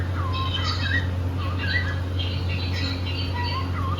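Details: Playful pet cockatiels singing: scattered curled chirps and short wavering whistles, spaced unevenly, with a low steady hum in the room.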